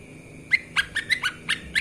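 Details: Short burst from a lesser green leafbird training master: six or so emphatic, whip-like chips in quick succession after a moment of thin steady tone.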